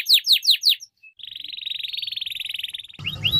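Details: Canary singing a few quick downward-sweeping whistled notes, then a long even buzzy trill held for nearly two seconds, and a rising whistle as low background hum returns.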